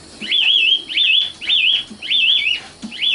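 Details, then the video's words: Luscinia megarhynchos, called sikatan londo in Indonesian, repeats a wavering whistled phrase four times with short pauses, each dipping and rising, plus faint low knocks. "kicau burung sikatan londo matal"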